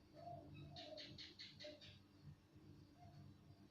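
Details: Spotted dove calling loudly and clearly: a series of soft, low coos spaced roughly half a second to a second apart, with a bright burst of high chirping from other small birds in the middle and a steady low background hum.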